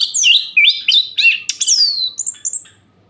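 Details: Night song of an orange-headed thrush meant to provoke rival birds and raise their breeding drive. A rapid run of clear, sweeping whistles and chirps, some falling in pitch, follows tightly before fading out.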